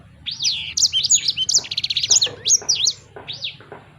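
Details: Short burst of sanger bird song: arched whistled notes, then a quick buzzy rattle, followed by a few sharp down-slurred chirps spaced roughly half a second apart.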